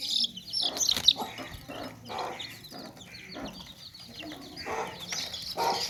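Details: Baby chicks in a tokri, a woven basket, alongside clucking hens: a steady chorus of high, thin, rapidly repeated peeps from many chicks, broken by short low clucks and rustling bursts.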